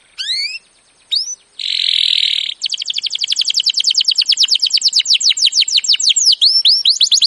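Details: Canary performing a training song: two upslurred whistles, a harsh buzzy burst, then a long, accelerating series of sweeping trill notes continuing to the end.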